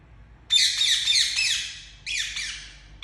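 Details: Pet Indian ringneck parakeet letting out a long, shrill, grating screech of about one and a half seconds, then a shorter second screech, both very loud and slightly falling.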